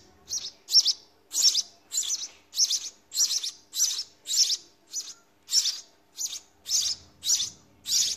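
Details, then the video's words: Young house sparrows in a nest begging while a parent feeds them: a rapid run of sharp, high, scratchy chirps, roughly two per second, fairly even in loudness throughout. "Sparrow feeding babies in nest"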